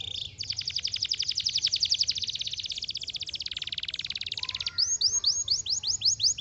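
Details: Singing canary delivering a long rapid rolling trill that slows and lowers, followed by a series of bright rising whistled sweeps repeated in quick succession, over soft low rumble.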